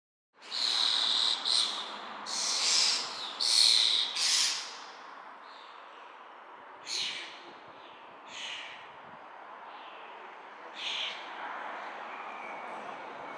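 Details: Young common starling being fed around lunchtime at a nest on a supermarket building: harsh, hissing, broadband begging screeches in a burst of loud calls over the first five seconds, then fainter isolated rasps every few seconds.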